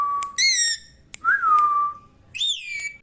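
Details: Pet green parrot at play, producing loud pure whistles: a flat tone, a rich harmonic note, a long falling glide, then a rising and falling harmonic whistle.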